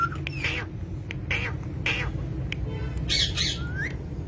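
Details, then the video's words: Green parrots kept as pets give harsh, broadband squawks repeated about every half second, with a short whistle at the end, over constant low hum. "talking parrot"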